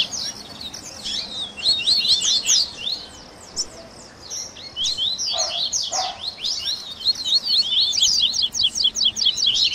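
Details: Double-collared seedeater 'baderna' song mixing tui tui, grego, viviti, flauteado and third-note styles, for warming up captive birds: rapid high chirp runs, a quieter middle stretch with two lower notes, then a fast buzzy closing trill.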